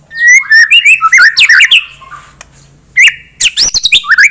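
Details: Caged white-rumped shama singing to raise a rival's aggression: fast bursts of twisting whistled notes and chatters in two bouts, separated by a brief pause, with a faint low hum behind.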